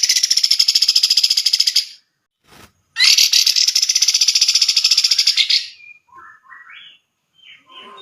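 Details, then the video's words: Grey-cheeked bulbul, a bird often entered in song competitions and used as a tutor for other songbirds, giving loud, rapid, buzzy pulsed trills lasting about two seconds each, separated by a pause, then softer rising whistled notes. "Cucak jenggot || Masteran wajib para kicau mania"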